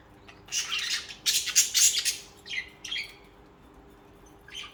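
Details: Budgerigars chirping loudly, a cluster of harsh, raspy squawks packed into the first two seconds, followed by a few shorter buzzy chirps and a faint final call.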